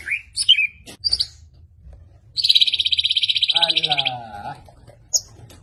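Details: Medan white-rumped shama singing relentlessly with sharp 'shots': short whistled notes, then a long, fast buzzy trill overlapping a lower wavering tone, and a final sharp high note.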